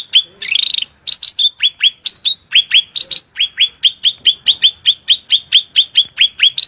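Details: High, piercing cucak rante song prepared as master material: a buzzy opening burst, a few upswept whistles, then a long, steady series of sharp downslurred chips delivered rapidly and evenly.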